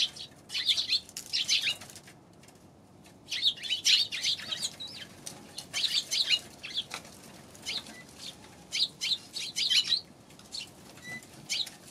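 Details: Eurasian tree sparrows on 11 January give bursts of rapid chirping in clusters every few seconds, separated by quieter gaps with soft rustling and wing-flutter sounds.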